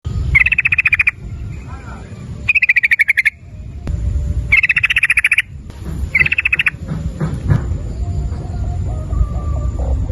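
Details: Sooty-headed bulbul in a lure recording meant to prompt other birds to call, giving a fast clicking 'ropel' rattle: four bursts of rapid pulsed notes, each under a second, then a stretch of low rumbling background noise.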